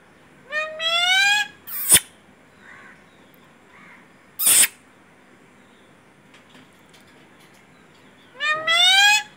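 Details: Pet parrot saying "mummy" twice, about seven seconds apart; each word is a two-part, harmonic, rising, nasal utterance. Two sharp loud clicks fall between them, with faint murmurs in a quiet room.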